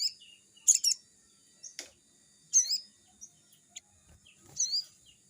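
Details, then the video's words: Sogon, the crimson sunbird, in lively forest-style song used as a lure for young birds; sharp high twittering bursts about two seconds apart, with soft thin notes between them. "burung sogon GACOR‼️suaranya seperti di hutan‼️pancingan sogon bakalan"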